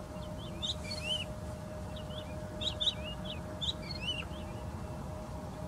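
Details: Woodlark delivering bright whistled and slurred notes in several quick clusters about a second apart, over a constant hum and low background rumble.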